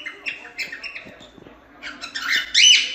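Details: Cockatiel in a song-training recording for cockatiels: a few spaced chirps, then a rush of warbled notes ending in a loud, harsh rising squawk-like whistle.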